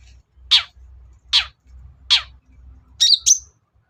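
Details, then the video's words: Long-tailed shrike lure sound: three harsh, descending rasps spaced under a second apart, then a shrill, squeaky twisting phrase, over a low background hum. "BURUNG CENDET GACOR || SUARA PIKAT CENDET SUSAH BUNYI"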